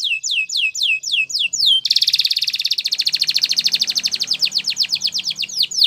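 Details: Spanish Timbrado canary song for training: repeated falling whistled notes give way to a rapid even trill, with faint background noise underneath.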